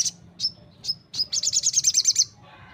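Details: Crimson sunbird sings three descending thin whistled notes, then a fast string of about eight bright, high chirps before falling quiet.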